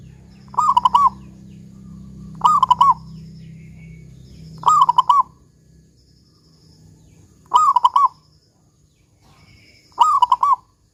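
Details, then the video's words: Lively local zebra dove with a big 'kung' voice, played as a lure to make doves sing: five cooing phrases, each a drawn note breaking into quick pulsed coos, repeated every two to three seconds over faint low hum. "Perkutut Lokal GACOR Suara Kung Besar Pancingan Burung Perkutut Agar Bunyi"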